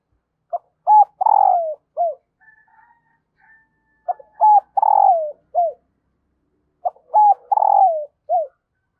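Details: Female dove cooing to excite the male, a call meant to bring wild doves in quickly: three matching low phrases about three seconds apart, each of quick clipped notes, a long falling coo and a short closing note.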